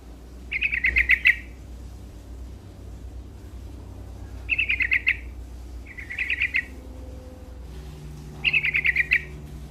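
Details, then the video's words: Chattering yellow-vented bulbul song in gacor style: four separate bursts of quick, bright notes spread over ten seconds, with a low mechanical hum underneath. "Suara Burung Trucuk Gacor"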